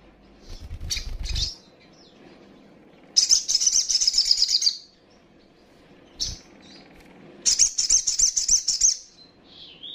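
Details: Calling young female little spiderhunter, used to provoke rival birds: scattered high chirps with low knocking thumps, a long fast series of shrill notes, another knock, then a second rapid chirping series.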